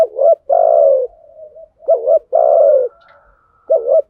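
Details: Lure cooing of male and female spotted doves for exciting decoy birds, thúc gù and gáy gọi styles; loud low coos alternate between springy double notes and long raspy sustained coos, with a faint murmur between them.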